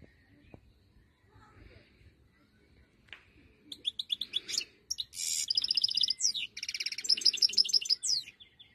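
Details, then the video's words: Quiet low noise gives way to a wild-type European goldfinch bursting into loud, fast twittering song with buzzy trills and tinkling notes. "chant chardonneret 2022"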